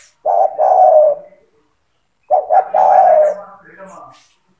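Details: Gacor spotted dove song for training young doves: two cooing phrases, each short stuttered notes before a long mellow coo, with a low hum and faint background murmur after the second.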